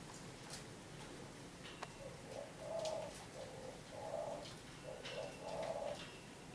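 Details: Zebra dove, a local Javanese bird of the 'kuk 3' style, kept at a breeding farm, giving three mellow, burry coo phrases about a second and a half apart over a steady noisy background with occasional clicks.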